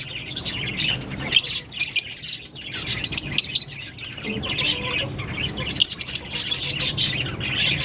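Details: A green Fischer's lovebird pair sings and chirps in lively, high, rasping bursts of rapid notes separated by short gaps, over a soft low background hum.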